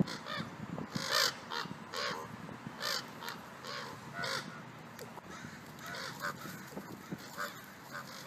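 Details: Ravens in a fight between two pairs: repeated coarse, grating calls roughly once a second, some louder and higher, interspersed with softer rasping notes and faint background noise.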